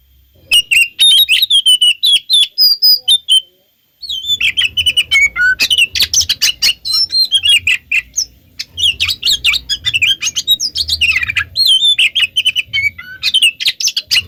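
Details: Oriental magpie-robin singing, meant as a lure so other magpie-robins reply: long, continuous medley of sweet whistles, slurs and harsh chips after a brief gap, over a soft low hum.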